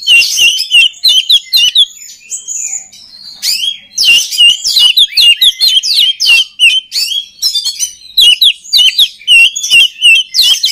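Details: Oriental magpie-robin song used to train other birds: a loud, continuous run of varied whistles, rapid slurred notes and harsh chips, mostly high-pitched, with brief pauses between bursts.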